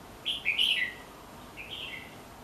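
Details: Two short whistled phrases from a red-whiskered bulbul near the house. The first is loud and bubbly, with several rapid liquid notes. After about a second's pause comes a softer, similar rising-then-falling phrase. Quiet hum throughout.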